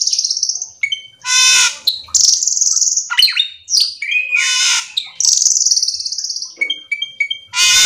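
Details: Full, vigorous song of a Black-winged Myna (cucak keling) used to coax other birds into singing: harsh raspy squawks, long high buzzy whistles and a string of short repeated chirps.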